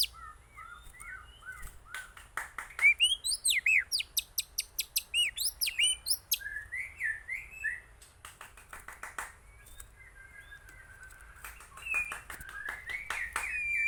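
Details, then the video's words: Aceh white-rumped shama song: a long, varied sequence opening with soft whistles, building into a rapid train of loud repeated chirps, then mellow warbled phrases. "Murai Aceh"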